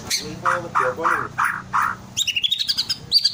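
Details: Twelve-month-old ringed white-rumped shama kept in a cage, in energetic song meant to make other shamas reply: five rhythmic harsh rasping notes, then a rapid run of high sweet chips and whistles.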